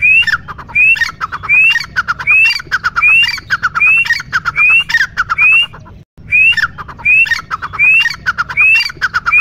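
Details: Loud repeated grey francolin call: grating clucks each ending in a shrill upward-sliding note, given in a quick steady series of roughly one phrase per second, with a short break midway before the calling resumes.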